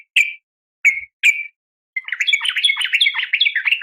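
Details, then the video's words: Female sooty-headed bulbul calling males in the morning; three separate clear, slightly falling notes, then a dense, excited chattering series of wavering notes. "suara panggilan pagi bikin emosi , semua burung trucuk terpancing ikut bunyi gacor dan ropel panjang"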